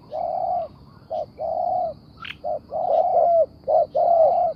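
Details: Spotted dove cooing: a series of low, hollow coo notes in uneven groups, some short and some drawn out, with a brief high chirp from another bird partway through.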